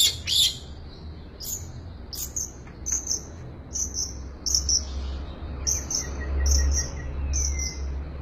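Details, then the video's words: Full isian song of a long-tailed shrike: thin, very high, short chips and ticks repeated in small clusters, with a thin rising whistle near the end. A steady low hum runs throughout. "BURUNG CENDET FULL ISIAN"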